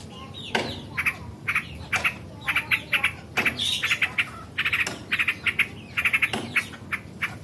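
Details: Yellow-vented bulbul singing continuously, a recording used as a master for training birds: bursts of bubbly, chattering notes repeated roughly every half second, with grating squawky phrases and a hissy background.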